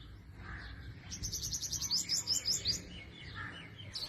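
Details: Purple sunbird singing in spring among forest trees in northwest Pakistan: a quick run of about a dozen high, thin, sharply repeated notes over roughly a second and a half, with soft, lower chirps from other birds before and after.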